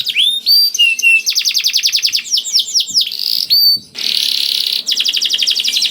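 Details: Lure song of a canary singing 'gacor', aimed at making silent canaries join in: sliding whistles, rapid trill bursts, a rasping buzz near four seconds, then more fast trilling.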